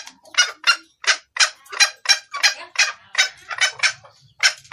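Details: Hen red junglefowl calling the male, used to lure cocks: quick, coarse clucking notes in irregular runs, a short gap near the end, then more clucks, with faint low rumble.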